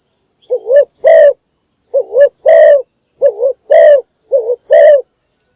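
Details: Spotted dove calling in the morning, a decoy bird kept to lure wild doves: four loud phrases, each a short wavering coo followed by a longer, fuller coo, spaced about every 1.3 seconds, in near silence.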